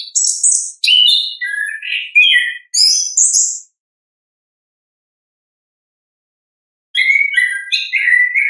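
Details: Orange-headed thrush giving ngeplong song in the wild, recorded for coaxing other birds to sing: a lively burst of high whistles and chattering notes, about three seconds of silence, then another varied phrase.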